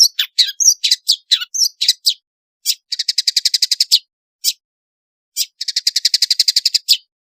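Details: Long-tailed shrike in chatty, varied song meant to stir silent shrikes into singing: quick mixed squeaky notes, then dry buzzy rattles in bursts about a second long, separated by short pauses.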